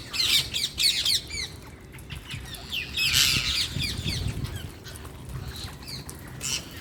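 Harsh, high-pitched parrot squawks and chirps come in quick bursts, loudest near the start and middle, over a low background rumble.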